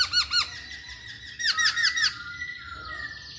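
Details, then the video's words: Masked laughingthrush singing busily, used as a lure to set other birds singing: pairs of loud arched, ringing notes, then a rapid burst of five similar arches and a fading held whistle. "Burung Poksay Hongkong Gacor"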